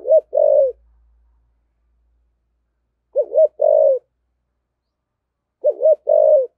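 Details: 'Giọng thổ' cooing from a decoy spotted dove in 'thúc gù' fashion: three evenly spaced phrases, each a quick double coo followed by a longer, deep, sliding coo.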